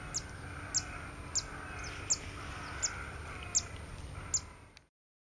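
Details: Zitting cisticola at Pian di Spagna–Lago di Mezzola nature reserve (CO-SO), Italy, 28 August 2016, giving sharp, high 'zit' notes about every three-quarters of a second over a steady thin whine and low background rumble.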